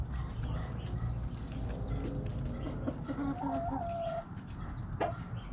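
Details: Backyard chickens with a rooster's crow, a wavering harmonic call lasting about a second, amid hens' steady clucking and a low background drone; a sharp click near the end.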